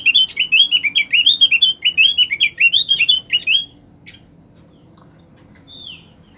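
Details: Opior singing, played to encourage other birds to sing: about three and a half seconds of quick, high, jumbled twittering phrases, then near silence broken by a single faint thin whistle.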